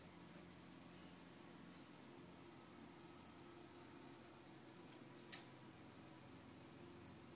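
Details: Star finch giving two short, high, thin squeaky notes about four seconds apart, each with a higher overtone, plus a single dry click between them over a steady low indoor hum.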